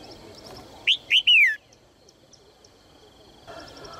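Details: A female red-whiskered bulbul encouraging males to sing utters one bright phrase: a quick rising whistle followed by two longer notes that rise briefly then slur down, with faint ticking chirps around it.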